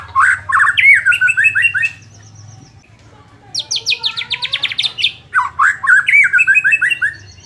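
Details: Song of a white-rumped shama, played to boost a bird lacking fighting spirit: rapid chattering whistled trills, a quiet gap, then a high descending series of sharp notes and more fast warbling phrases over a low hum.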